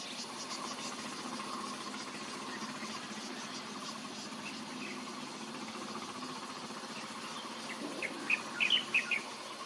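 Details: Light-vented bulbul in Baihe District, Tainan, Taiwan, on 17 July 2022: a brief burst of four or five bright, chirpy notes near the end, over a steady hiss of insects.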